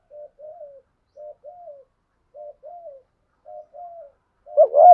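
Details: Spotted dove kept as a decoy for trapping wild doves, cooing softly: five quiet paired notes, each a brief note then a slightly longer falling one, followed by a sudden loud burst at the end.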